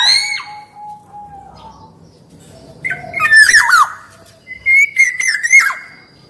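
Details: Black-naped oriole singing vigorously, a lure and tutor recording with male and female voices: a clear falling whistle, a long level note, then harsh rasping bursts and rich looping whistles after a pause.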